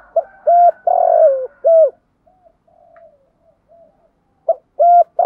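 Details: Spotted dove giving its full cooing phrase: short and long hollow coos in a steady rhythm, a quiet murmuring interlude with soft low notes, then the loud coos resuming.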